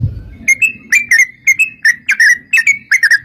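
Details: Sooty-headed bulbul in full, persistent song, used as a lure to draw other bulbuls into answering: short bubbly whistled phrases, each a quick cluster of liquid notes, repeated roughly every half second, with faint low rumble at the start.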